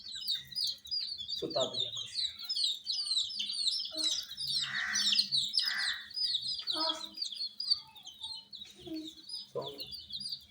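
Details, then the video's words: Baby chicken chicks cheep constantly in a crowded brood kept warm with heat, high thin peeps overlapping without pause, broken by a few harsher noisy bursts and a brief low sound. "Witty MURGI Baby "Chicks Chirping" Sound"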